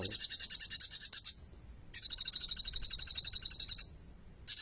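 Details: Kolibri ninja sunbird in full song with ciblek-type material, played to coax silent sunbirds into singing; long, high, rapidly pulsed trills lasting about two seconds each, a short gap, then another trill begins.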